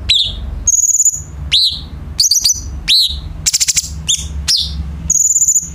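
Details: Light-vented bulbul song used as a tutor for training captive songbirds: sharp high notes sweeping downward alternate with level high whistles and quick buzzy bursts, phrases separated by short pauses, a low steady hum underneath.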